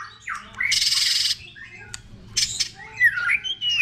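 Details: Song of a White-rumped shama in many voices, used to provoke singing and tail-flicking: a harsh rasping burst, then scattered clicks and bright rising and falling whistles, over a low background hum.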